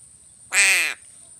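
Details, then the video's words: A single harsh, nasal caw lasting under half a second from a crow being fed fish, over a faint constant high-pitched whine. "BURUNG GAGAK"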